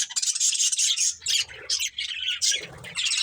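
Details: Pet budgerigars, a breeding pair, chirping in loud bursts of harsh, buzzy warbled chatter with brief whistled squeaks, nearly continuous with short dips between phrases.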